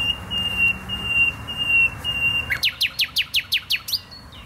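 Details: Nightingale in Poznań botanical garden, Poland, holds a long steady pure whistle, then breaks into about nine loud, evenly spaced downward-sweeping notes ending in a short slur.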